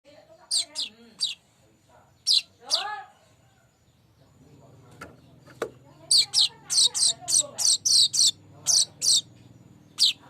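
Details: Streaked weaver, known locally as manyar kembang, in a lure recording: a few softer chirps and low buzzy notes, then a rapid run of high, sharp chirps repeated about every third of a second.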